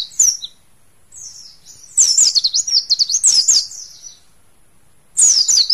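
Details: High, rapid warbling from a captive mountain white-eye from Mount Slamet: a short opening phrase, a long tumbling zigzag run of thin notes, then a fresh burst after a silent gap.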